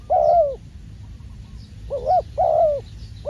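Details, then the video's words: Three mellow, slightly wavering coos from a spotted dove used as a trapping decoy, the first drawn out and the later two close together, with soft background hum between them. "ต่อนกเขาใหญ่ พานกฝึก เจ้าอันาดามัน ออกฝึกเก็บเชลยแต้มแรกกได้สำเร็จเชลยเสียงเล็กคูดี"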